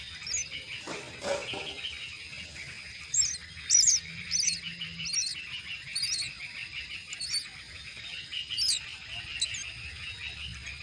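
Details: At the nest, myna chicks being fed utter sharp, high chirps in irregular bursts over a steady buzzy chatter; a brief rustle near the start and a low hum throughout.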